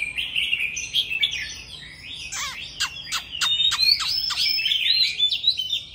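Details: Old forest Oriental magpie-robin in loud song: a sustained whistled warble, then a rhythmic series of sharp, downward-sweeping notes mixed with higher whistles, repeated several times.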